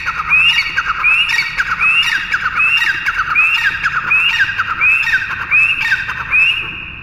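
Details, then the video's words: Teetar, the pheasant of the local name, calling insistently: a run of harsh, scratchy squawks repeated at a brisk, even pace, each starting with a short upward-sliding note over rough lower buzzing. "Pheasant | teetar ki awaaz"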